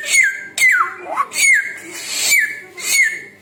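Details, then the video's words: Samyong bird giving falling whistled notes at a steady pace, each with a buzzy, hissing edge, plus one rising slur. "burung samyong 1001 suara"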